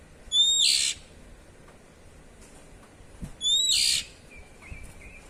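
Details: Oriental magpie-robin in ngeplong style repeating its harsh 'cier' call twice, three seconds apart, each a whistled onset breaking into a loud scratchy buzz; a soft wavering whistle follows the second call.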